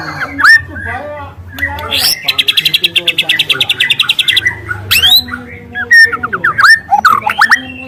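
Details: Juvenile speckled white-rumped shama in the wild, giving a long, loud canary-like burst: a steady rapid buzzing trill lasting about two seconds, framed by bright whistled slurs and chips.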